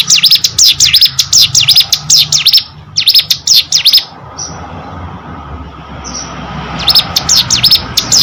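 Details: Hill prinia singing in three bursts of rapid high sweeping chirps separated by pauses, with a brief thin whistle in the gaps and steady low hum beneath.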